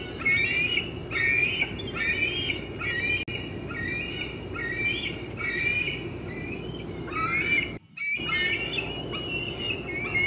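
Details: Squeeing bald eaglet near its nest box, late afternoon, 25 June 2013, as an adult feeds on fish in a nearby tree; rapid chains of high, squeaky, wavering notes, about one a second, with a brief dropout near the end.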